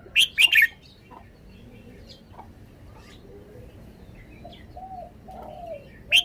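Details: Red-whiskered bulbul kept in a cage, singing in its own style: a quick, loud three-note burst opens the phrase, quiet scattered chirps follow, and another bright note cuts in at the end.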